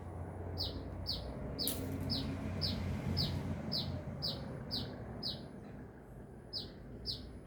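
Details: Sunbird in lively song, giving bright, high chirps that drop in pitch, repeated at an even pace of roughly two per second throughout, over soft low background noise.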